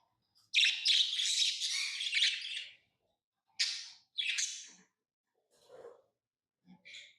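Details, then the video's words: Tame pet lovebirds: a two-second burst of shrill, squawky chattering, then two shorter sharp chirp bursts and a few faint soft notes, in an otherwise quiet setting. "lovebirds chirping sounds"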